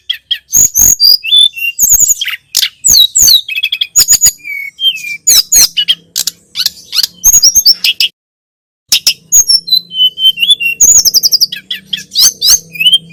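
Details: Rich, continuous song of the Sunda robin used to train cage birds: bright whistles, quick falling slurs and dry ticks, with a faint steady low hum behind and one brief pause about two-thirds through.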